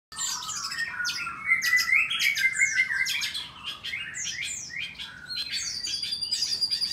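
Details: White-rumped shama singing in a breeding aviary in Bogor on a morning: dense run of varied whistled and buzzy phrases, sharp downslurred notes high up, a sustained whistle near the end, phrases tumbling on without pause.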